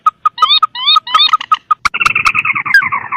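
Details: Rail lure call with mandar and tikusan birds, sharp notes repeated about five times a second, some with rising whistled overtones, then a dense harsh buzzy trill with a descending whistle near the end.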